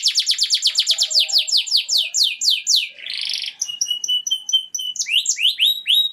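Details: Canary singing a rich song: fast rolls of repeated descending notes, then a buzzy burst, then clear whistled notes held level and rising sweeps, all high-pitched and continuous.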